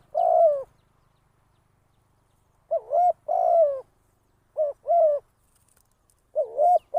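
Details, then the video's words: Spotted dove kept as a trapping decoy, cooing irregularly: a lone long coo, a long silence, then several two-part phrases of a quick wavy note and a sustained coo. "เสียง นกต่อ นกเขาใหญ่"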